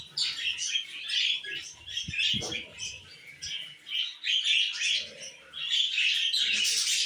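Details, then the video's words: Flirting male pet budgie sitting on the shower in a bathroom, chattering nonstop with fast scratchy chirps and short whistled squeaks, a few louder squawky notes toward the end, plus brief low thumps near two seconds. "My Male Budgie Sitting on Bathroom Shower and flirting"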